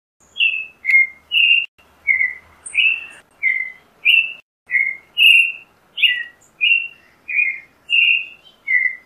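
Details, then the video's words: Creamy-bellied thrush singing a steady series of short whistled phrases, each slurred note near the same pitch, about fifteen phrases in nine seconds with brief pauses between them; no other sounds intrude. "Zorzal Chalchalero Canto - Creamy-bellied Thrush Song - Turdus Amaurochalinus"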